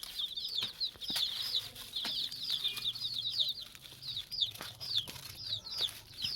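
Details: Frightened chicks (domestic chicken) giving a distress call: several chicks give loud, high, piercing peeps in rapid overlapping series, each note sharply falling, with a few faint knocks beneath.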